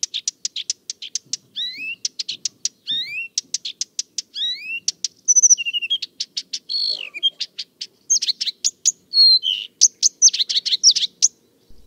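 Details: A Blyth's Reed Warbler, which likes to sing late in the evening and at night, sings a brisk, varied song of high clicks and ticks, rising whistled slurs and short repeated phrases, with no other clear sounds.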